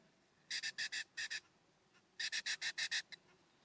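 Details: California scrub-jays at a ground feeder below a cabin on a warm September morning: two quick series of harsh, raspy, broadband notes, about six in each, in rapid rhythm with a short pause between, over quiet background.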